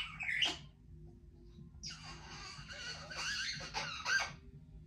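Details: A young female Congo African grey parrot talks indoors in a raspy, word-like voice, with a sharp squawk at the start and scratchy phrases through the rest; her favourite phrases include "Give me a kiss" and "I love you."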